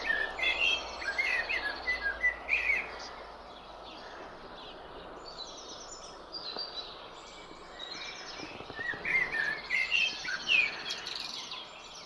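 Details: A male common blackbird sings two mellow, warbling phrases ending in squeaky twitters, separated by a long pause, over a steady hiss of background noise.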